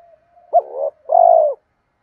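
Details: Spotted dove coo phrase played to make reluctant doves answer: a soft lead-in hum, a sharp rising note with a wavering tail, then a long, steady, purring coo.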